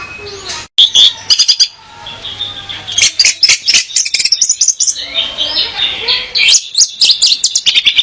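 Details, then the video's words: Female orange-headed thrush song used to lure a male: fast, bright high chirps and twittering whistled notes, irregular bursts running almost continuously after a brief pause near the start. "Kicau Anis Merah Betina Pemikat Anis Merah Jantan Biar Gacor"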